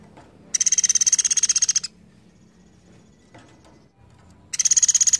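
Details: Java sparrow in full song, giving long song bursts: fast, high, clicking trills, each burst over a second long, the second starting about three seconds after the first.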